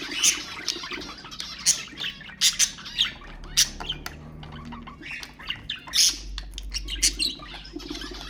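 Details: Budgerigars used to stimulate other birds: harsh squawks and clicky chirps in rapid, uneven bursts, with a low rumble underneath.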